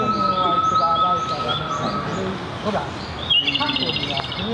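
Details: Japanese robin singing: soft whistled notes with a steady tone early on, then a rapid, rattling high trill near the end, with other faint background sounds.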